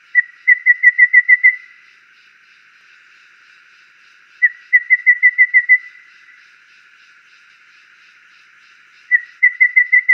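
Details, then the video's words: Golden babbler, a bird of subtropical lowland and montane forests, repeating a monotone piping call: three series of seven or eight quick whistled notes at one pitch, each series about four seconds apart, over a faint constant hum. "Suara Burung Tepus Emas (Golden Babbler)"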